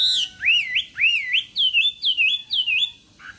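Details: Morning voice-training song of a Chinese hwamei in contest style: a sharp opening note, then five clear whistled phrases that rise, dip and loop, about twice a second, ending in a short low chatter.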